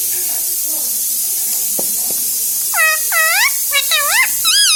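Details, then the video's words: Talking pet parrot, known for "mummy" and "mithu mithu", repeats a series of four or five quick rising-falling syllables in the second half, after a couple of faint clicks, above steady hiss. "Mummy bolo mothu || mummy ka pyara tota || bolo mithu mithu"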